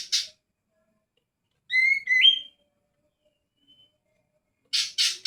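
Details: Greater green leafbird with a lone whistled phrase of level then upward-sliding notes, framed by short rasping bursts at start and end.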